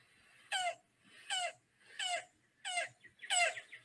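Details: A Yellow-billed Cuckoo call: five harsh, nasal, guttural notes, each short and hoarse, repeating about every three-quarters of a second, scarcely bird-like, like a monkey that swallowed a frog.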